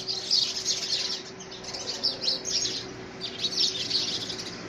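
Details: House sparrows fighting over a nest box in the first week of February 2017; sharp, high chirps come in clustered bursts, rising and falling in loudness as several birds call at once.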